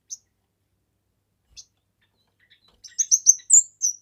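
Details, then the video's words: A kemade bird in active song, for tutoring and luring birds. After mostly quiet seconds with isolated high ticks, a burst of piercing chirps ends in a higher slurred whistle and a falling note. "Burung Kemade GACOR...Cocok untuk MASTERAN, PIKAT DAN PANCINGAN"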